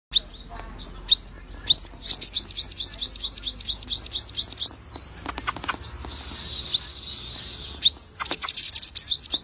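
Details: A sogon bird singing actively: sharp high rising upslurred notes give way to a long, fast, thin trill that runs for several seconds, then more rising notes and another trill.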